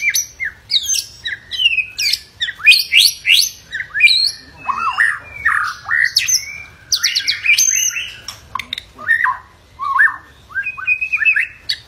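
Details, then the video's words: White-rumped shama in a furious, fighting mood, singing to provoke other shamas: loud, rich and varied phrases of sharp whistles, harsh chatters and sweeping slurs in quick bursts with short pauses, continuous throughout. "Murai Batu Ngamuk Rekomended untuk Pancing MB lain ikut Gacor + Fighter"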